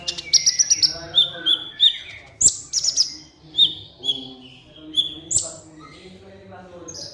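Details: Kolibri ninja sunbird song meant to prompt silent caged birds to sing. Rapid high twitters open, followed by a string of clear, evenly spaced whistled notes at a steady pace and occasional sharp clicks.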